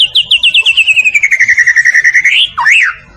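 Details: Medan-type white-rumped shama singing continuously as a tutor recording: a fast, even trill of about twenty pulsed whistles gliding slowly downward in pitch, ending in a swooping upslurred whistle.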